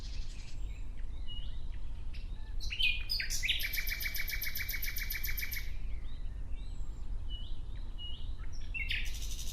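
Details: Nightingale song: a few sharp introductory chirps and a twisting whistle, then a long, loud, machine-gun trill of rapid identical notes for about two and a half seconds, more chirps trailing after.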